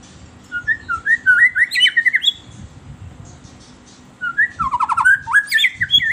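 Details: Lure recording of a white-rumped shama for caged birds: two bursts of rich whistled phrases, rising slurs mixed with high chirps and buzzy notes, separated by a pause with low background thumps.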